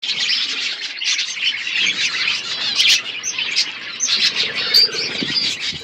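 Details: Budgerigars chirping as relaxing background, a dense continuous chatter of warbling, buzzy twitters and chirps from several birds overlapping throughout, with no clear pauses.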